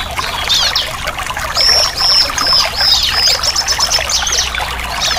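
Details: Bar-winged prinia song meant to restart a silent bird's singing: a sustained thin high whistle with rapid chattering notes around it, all over constant trickling hiss.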